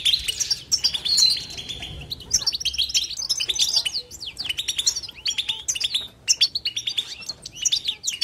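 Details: Nonstop twittering batbata of a European goldfinch: tumbling liquid chirps and buzzy trills, a brief whistled note early on, then dense rhythmic bursts of sharp tweets.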